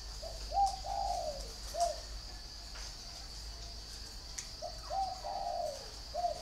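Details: Spotted dove from a bird garden in Ba Vì, Hanoi, Vietnam, singing in the 'hậu 1' style: two phrases of soft, low coos, each opening with a short note, then longer drawn-out notes, over a steady insect drone.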